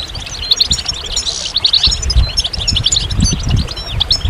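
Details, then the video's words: Goldfinch singing in rapid, tinkling bursts of sharp high notes and brief buzzy trills, steady and busy throughout, with a soft low hum underneath. "Magical Goldfinch Songs"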